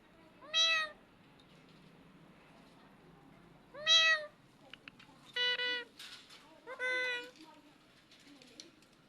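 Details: Parrot calling the cat with two clear meow-like cries, followed by a quicker run of flatter, buzzier mews and short clicks near the end.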